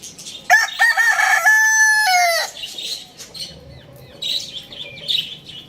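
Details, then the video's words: A rooster gives a single loud crow of about two seconds. It is strongly harmonic, holds steady, then drops at the end, followed by soft clucks and distant high chirping. "cute rooster crowing sound effect"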